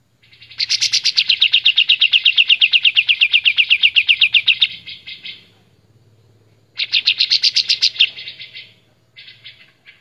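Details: Loud, clear song of a white-shouldered triller used as a master recording for songbird training: a long rapid trill of evenly repeated sharp notes lasting about four seconds, a pause, a second shorter trill, then a brief final burst.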